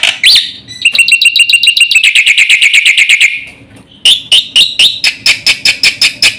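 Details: Fast, full song of a black-winged starling for provoking and tutoring other birds: an opening upslur, then a long accelerating series of ringing metallic notes, a brief pause, and another steady run of loud chips.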